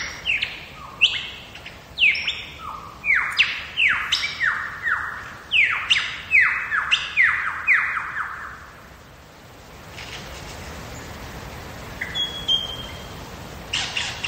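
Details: Lyrebird song from the wild in Megalong Valley, Australia's Blue Mountains: about eight seconds of rapid, loud, descending whistled sweeps tumbling one after another, then quiet forest hiss with a few faint distant notes.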